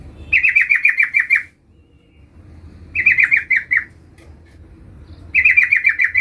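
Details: Sooty-headed bulbul giving a call meant to draw in a rival, with three short rattling trills of clipped, descending notes, each lasting about a second, spaced by quiet gaps and faint low hum.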